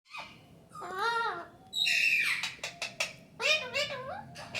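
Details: Pet parrot talking indoors, saying "Mithu Mithu"; harmonic speech-like phrases with rising and falling inflections alternate with sharp clicks and short raspy bursts in a small room.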